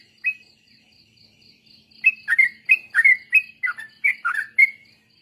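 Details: Sooty-headed bulbul song used to train other birds in the ropel style. One lone note opens, then a quiet gap with a faint steady high tone, then a fast tumbling series of bubbly phrases.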